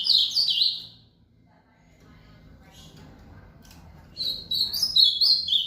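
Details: Rally song of an ultramarine grosbeak following an outing: the end of one warbled whistled phrase, a pause of near silence, then a new bright phrase of tumbling notes begins.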